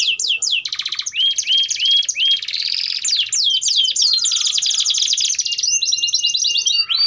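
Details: Canary singing a long-duration song meant as a model for young birds learning to sing: quick descending notes, buzzy rolls, a few rising slurred whistles, then extended dense trills and a final rapid falling series.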